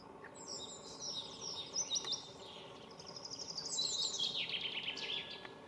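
Common starling giving a rapid jumble of high whistles, slurred sweeps and chirps, about three notes a second, over a faint background hiss.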